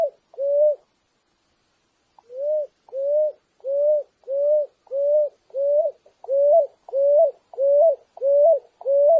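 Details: Picui ground dove cooing: two low notes, a gap of about a second and a half, then a steady run of about eleven slightly rising coos at a brisk, regular pace.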